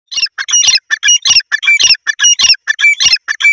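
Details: Grey francolin, known locally as teetar, calling loudly: harsh, squawky notes delivered in rapid clustered bursts, around a hundred per minute, forming repeated chattering phrases with no other sounds present.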